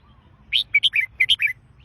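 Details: Red-whiskered bulbul singing one short phrase of about seven clear, bright, slurred notes, chirpy and warbling, over quiet low background hum.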